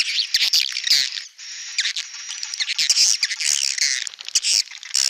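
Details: Outdoor swiftlet lure recording of birds calling the flock: continuous shrill chattering and twittering, high sharp chirps running into one another, with a brief steady whine near the start.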